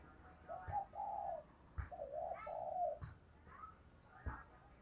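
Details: A female dove, whose call is used to stimulate males, gives low, hollow coos in short broken phrases with a few sharp knocks in between, in a quiet indoor space.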